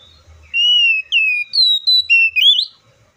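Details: Oriental magpie-robin giving a loud whistled phrase: a long level note, a falling slur, a high steady note, then short notes ending in an upward sweep, over about two and a half seconds.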